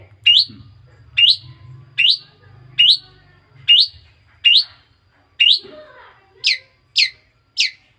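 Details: Young long-tailed shrike kept as a pet, taken as a chick months ago and just starting to sing: ten short, rising chirps in a steady series; the last three slur downward instead. A low hum sounds early on.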